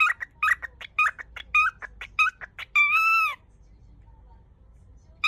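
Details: Pet cockatiel indoors, hurriedly repeating the Japanese greeting "yoku kita ne" (welcome) and, too flustered, never finishing it. A rapid string of short chirpy spoken syllables ends in one long, held, nasal tone, then quiet.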